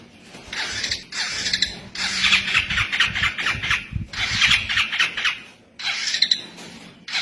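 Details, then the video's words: Local long-tailed shrike with a voice unlike other shrikes, delivering harsh, scratchy bursts of song about a second long with brief gaps between them, over a faint low engine hum. "Cendet lokal suara unik dari pada burung cendet lainnya"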